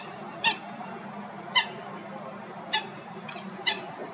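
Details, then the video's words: Common gallinule filmed in Florida giving four loud, short, harsh nasal squawks with a rich, ringing tone, spaced roughly a second apart at uneven intervals, over a low steady background rumble. "Gallinule d'Amérique, cri / Common Gallinule, call"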